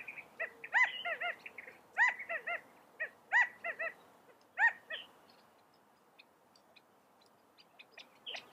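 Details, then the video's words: California quail calling in quick stuttering clusters of arched harmonic notes every second or so for about five seconds, then only faint high ticks remain. "California Quail Bird Sound, Bird Song, Bird Call, Bird Calling, Chirps"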